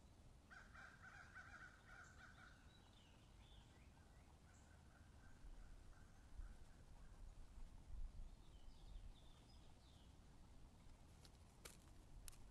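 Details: Red-shouldered hawk at a nest in Wake Forest, 7 May 2023 around 11:17, gives a harsh, drawn-out call early on, then a fainter repeat, over a steady low rumble and a few sharp clicks near the end.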